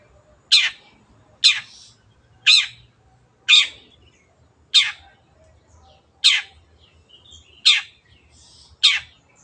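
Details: Long-tailed shrike uttering a run of nine harsh, grating notes at roughly one per second, each short and scratchy, against a quiet background.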